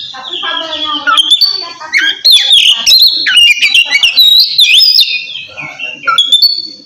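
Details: Oriental magpie-robin singing ngeplong to call a rival; opens with quieter layered notes, then loud rich whistled phrases, rapid slurred notes and sharp chips, fading into a final clear whistle.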